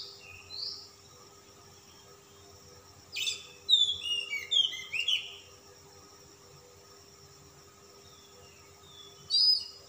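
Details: Calm-type Oriental magpie-robin in puffed display song: a few isolated clear whistles, then a dense burst of fast twittering, slurred high notes around mid-clip, long quiet gaps, and a final sharp phrase; faint constant hum.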